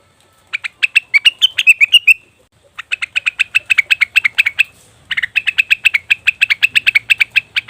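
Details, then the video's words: Cucak wilis or rengganis leafbird, played as a lure to get wild or kept birds singing: rapid runs of sharp, even chirps near one pitch, in three bursts broken by short pauses, some notes slurring slightly upward. "pancingan burung cucak wilis/rengganis dijamin langsung bunyi"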